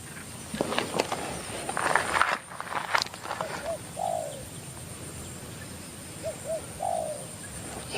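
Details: Wild Spotted Dove that has come down to a caged decoy bird, the two cooing before they fight: two short soft notes then a longer downslurred coo, heard twice, after early clattering and handling noise over a steady background hiss.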